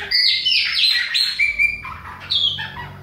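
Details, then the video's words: Chopi blackbird from Bahia singing in autumn, a bright run of clear whistled and slurred notes with sharp downward sweeps and a brief jumbled chatter. "PÁSSARO PRETO BAIANO COMANDA OUTONO"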